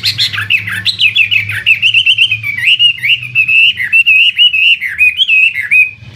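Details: Chinese hwamei, a prized contest bird, pouring out a continuous melodious whistled song of wavering, slurred phrases, mostly steady in pitch with small rises and dips; low hum audible early on.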